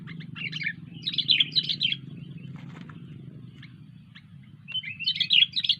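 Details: Sooty-headed bulbul in full, lively song (gacor): quick jumbled warbling phrases early on, a few scattered single notes in the middle, then another rich chattering burst, against a constant low droning hum.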